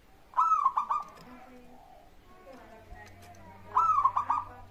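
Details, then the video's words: Zebra dove, a local bird, singing so that other doves respond: two stuttering coo phrases of rapid pulsed notes, moderately loud, with quiet background noise and a low hum between them. "pancingan burung perkutut gacor suara disukai bikin cepat bunyi langsung nyaut"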